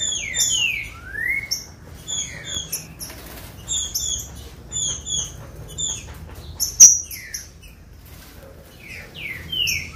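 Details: Green-winged saltator warm-up song, played to excite captive birds into singing: loud slurred whistles, some rising and some falling, mixed with many short, high, sharp chirps and brief rustling bursts.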